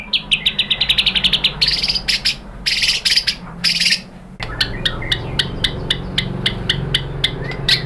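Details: White-rumped shama song played to provoke other shamas into singing: rapid series of sharp repeated chips, harsh rattling bursts, then evenly spaced high ticking notes.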